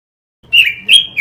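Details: Robin song used as a masteran lure recording for training caged birds: after a silent start, two short, clear whistled phrases, the first slurring slightly downward, the second brighter and steadier, followed by the start of a third note.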